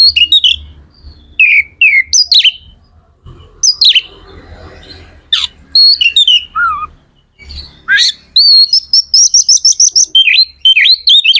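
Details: Magpie-robin (kacer) in full, energetic song, played to stimulate other magpie-robins to sing: loud varied whistles and rich warbled phrases with sharp downward notes and a fast run of repeated high whistles near the end.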